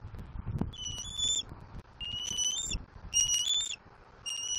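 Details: Young bald eagle at a Southwest Florida nest, April 2024, screaming to claim a fish its father delivered. A few high, thin whistled squeals, some with a quick upward step, over low thumping and rustling noise.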